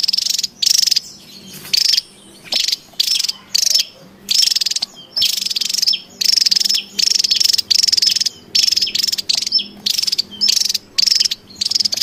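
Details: Javan tesia calling in the wild: a long run of harsh, dry rattles in even bursts of under a second, about one or two each second, with a level whistle-like tone inside the buzz.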